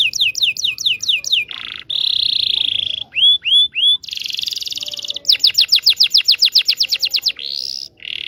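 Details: Song of a local Indonesian canary, meant to teach young canaries: quick falling notes, a steady buzzy trill, three separate rising-falling whistles, another rolling trill, then a rapid run of sweeping notes.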